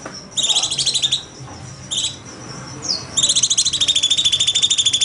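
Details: A bulbul called cucak cungkok, recorded as master song in 'nembak' style: short bursts of fast, high trilled notes, a quick rising whistle, then a longer sustained rattling trill.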